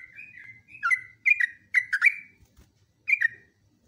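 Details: Trucukan, the yellow-vented bulbul, singing a training recording: short gurgling whistled phrases with quick downward slurs, broken by a pause and a faint low rumble before one last phrase.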